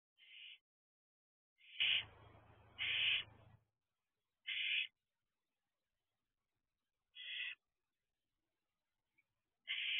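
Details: Young barn owl, two months out of the egg, nest box at 12:26 am on 6/2/23: scattered rasping hiss-screeches, two close together over a low rumbling thump, then three more spaced several seconds apart.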